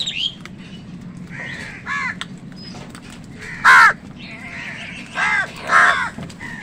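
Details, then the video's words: Crows squabbling with wild birds over food: rasping caws at irregular intervals, one very loud call midway and two more toward the end, against a low droning background. "Crow Sound কাকের ডাক Wild birds fight with crows for food | Crow Bird Crowing Sound"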